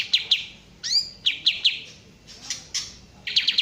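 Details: Kapas tembak bulbul singing short clipped chirps in pairs and triplets, broken by one bright rising slurred whistle, then another quick chirping burst at the end.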